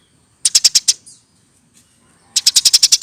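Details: Hand-raised Eurasian tree sparrow over a year old: a quick run of five high chips, a pause with a faint squeak, then a faster train of eight sharp, evenly spaced notes.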